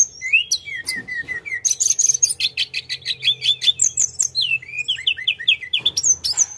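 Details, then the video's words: Sunda robin in full rolling song, a long unbroken stream of rapid chips, slurred whistles and repeated short descending notes, ending in high sweeping calls. "Kicauan Tledekan gunung full gacor ngeroll"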